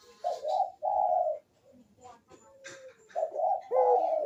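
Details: Barbary dove perching song, played as a lure to prompt lazy doves to coo: paired low, rounded coos, a short pause with soft murmuring, then another pair of strong coos.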